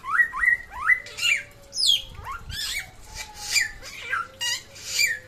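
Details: Samyong from West Nusa Tenggara: loud rising whistled slurs mixed with harsh squawky notes and downward swoops, repeated roughly every half second, over a faint steady tone.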